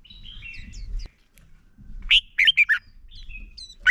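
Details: Red-whiskered bulbul male singing to stir other bulbuls: soft thin whistles, then a loud burst of four rich, slurred notes, with rustling low background noise.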